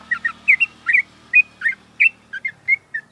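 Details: Sooty-headed bulbul kept in a cage, morning sunning session: a varied string of liquid, warbling notes that rise and fall, with some short whistled ones, over a soft low hum.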